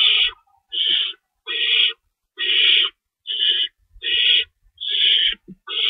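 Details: Owl nest at feeding time, 3:53 AM, March 25, 2012, two rabbits on hand and an adult staying to shred food; a series of eight harsh hissing screeches at a regular pace, with brief scuffling noises.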